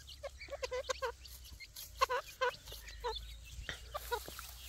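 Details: Grey francolin chicks at feeding time, uttering loud, clipped chirps in short clusters with brief pauses between them.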